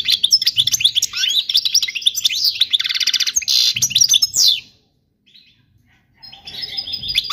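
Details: Song of a European goldfinch, recorded for young birds to learn from: fast liquid twitters and a buzzy rattling stretch for over four seconds, a silent gap of about a second and a half, then softer chirps return.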